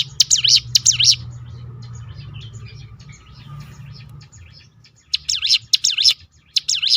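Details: High, rapid swooping chirps from a hill prinia (ciblek gunung) in a rolling 'tembakan' song meant to provoke other birds, in two bursts separated by a low-level hum and faint notes.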